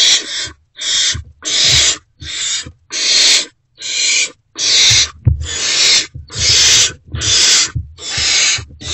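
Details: Unfed great horned owl owlets in a wild owl box at about 5:30 am, 3 March 2024, responding as an adult returns. Rasping, noisy hisses repeat rapidly, around eleven bursts over nine seconds with short gaps between them.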